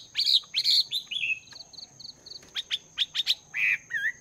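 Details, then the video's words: Morning song of a caged Chinese hwamei, wild-caught and two months in the cage, training its voice: loud rich whistled phrases, a series of short repeated notes, then sharp rising notes and slurred whistles over a constant high tone. "Chim Hoạ Mi Mộc VIP 2 Tháng Lồng Luyện Giọng"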